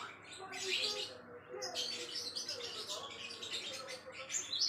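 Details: Java sparrow giving high twittering song as a tutor for songbird training, starting with a soft chirp burst and then a longer, busy stretch of thin chattering notes ending in bright, sharp whistles.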